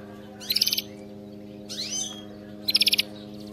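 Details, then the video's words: Canary singing, played to train pet canaries to sing: three short bursts of high, rapid buzzy trills separated by pauses of about a second, with one sweeping note in between, over a steady low electrical hum. "صوت كناري مذهل لتدريب وجعل طائرك الكناري يغرد بلا توقف canary singing training bird"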